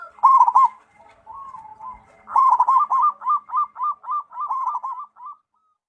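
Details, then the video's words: Zebra dove, local strain, singing a soft rolling coo, then a longer run of quick, evenly spaced staccato coo notes rattled off for about three seconds before stopping. "suara perkutut lokal"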